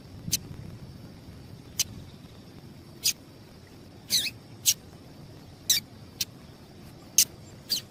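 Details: Female double-collared seedeater call meant to excite males. Around ten sharp, high chips at uneven intervals, one slightly longer and buzzier, over a soft hiss.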